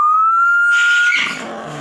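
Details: A long, steady whistled note from an African grey parrot, held for over a second before dissolving into a breathy, noisy rasp.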